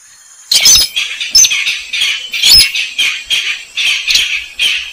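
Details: Slaty-breasted rail (weris, sintar semak), recording used as a lure call: a harsh, buzzy, high squawking series of short rasping notes, about two per second, after half a second of quiet.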